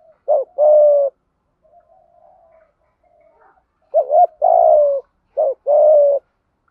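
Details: Decoy spotted dove cooing to attract wild doves, gáy gọi một hậu calling; three soft low phrases of a short trembling note plus a longer falling coo, separated by a quiet stretch with faint murmurs.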